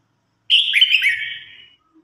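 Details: Red-whiskered bulbul singing in competition and calling its flock: one loud, warbled phrase that slurs downward over about a second and fades out, with no other sounds.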